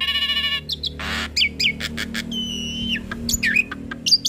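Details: Hybrid starling, singing eagerly with many borrowed phrases for tutoring other songbirds, opens with a harsh nasal buzz, then gives squeaks and a drawn-out wavering whistle.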